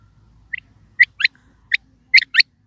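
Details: Calling quail: short, bright, high-pitched notes, mostly paired, starting softly and then louder, spaced by brief pauses, against an otherwise quiet background.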